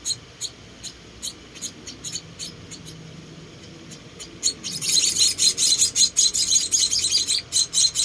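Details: Four orphaned Munia chicks being hand-fed: sparse, faint, high chirps at first, then from midway a loud, dense burst of shrill, overlapping calls.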